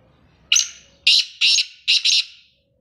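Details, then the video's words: Male black francolin calling: five loud, harsh, grating notes, a single opening note, then a pair, then a final double burst, all high and rasping, set against a quiet background. "کالا تیتر آواز ویڈیو کالا تیتر کو بولانے والی آوازیں"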